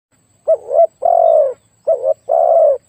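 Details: Spotted dove used as a decoy for luring wild doves, described as having a very big voice: two deep cooing phrases, each a short wavering note followed by a longer, steady, slightly falling coo.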